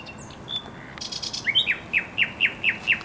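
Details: A thrush nightingale on the Żerań Canal, recorded 24 April 2022, delivers a string of clear downward-slurred whistles, about three per second, each with a higher flick above it, after some softer notes.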